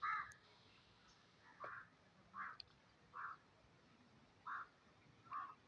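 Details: Black francolin from Pakistan, known in Sindhi as kala teetar, giving a series of six harsh, rasping notes spaced under a second apart, each a short buzzy burst, over faint background hiss.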